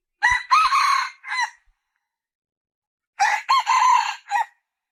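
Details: Red junglefowl crowing twice, about three seconds apart; each crow is a loud, harsh four-part phrase, with a short first note, a rising second note, a long held third, and a clipped, falling final note. The background is quiet.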